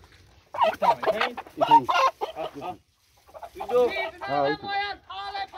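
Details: Domestic chickens rushing out of their coop in the morning, giving loud harmonic squawks in quick bursts, a brief silence near mid-clip, then a run of rising-and-falling squawking calls.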